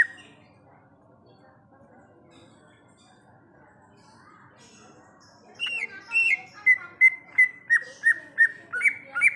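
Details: Wild forest greater green leafbird (cucak ijo): after several seconds of near quiet, a steady train of bright whistled notes begins, each dipping in pitch, repeated roughly three times per second.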